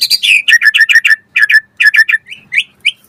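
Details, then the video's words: Energetic white-rumped shama song meant to spur other birds into answering: rapid runs of sharp, repeated chirps, several per second, broken by brief pauses, ending in a few higher rising whistles. "Pancingan Murai Batu Gacor Auto NYAUT cepat Bunyi buat Masteran Burung Murai agar Gacor Full Isian"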